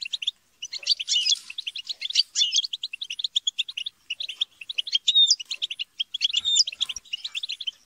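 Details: European goldfinches, kept birds, in group chatter and squabbling used to stimulate singing: dense high twittering of rapid chirps and short buzzy notes, with a few clear whistled slurs, overlapping continuously with brief pauses.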